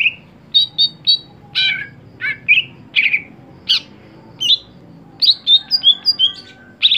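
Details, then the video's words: Greater green leafbird in a cage, kept for song competitions, pouring out a varied medley of trilled whistles, harsh buzzes and short clipped notes at a brisk, uneven pace. "Ketika Cucak Hijau Sudah Tidak Jalan Gantangan"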